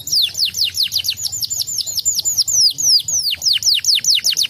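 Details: Canary song used as a lure to make other canaries answer and sing along: a fast, steady series of high, clear downward-sweeping whistled notes, about four per second, with a faint low hum underneath.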